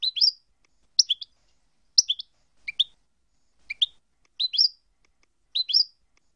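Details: Goldfinch song section: a regular series of seven crisp, high two-part chirps, each dropping in pitch, spaced under a second apart, clean background, part of an assembled set of recognised segments.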